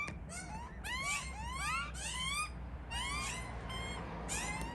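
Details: Two hungry baby Australian magpies hidden in a tree, begging for food from their parents: loud, harsh, rising wails in rapid, overlapping bursts, over a low background rumble.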